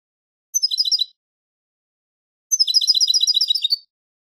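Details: Goldfinch song tape recording of a European goldfinch: a brief half-second twittering burst, a pause of over a second, then a longer rapid, even series of tinkling notes.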